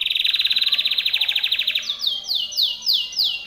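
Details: Timbrado canary singing for training other canaries: a very fast pulsing trill for nearly two seconds, then slower loud sweeping notes falling in pitch, about two per second.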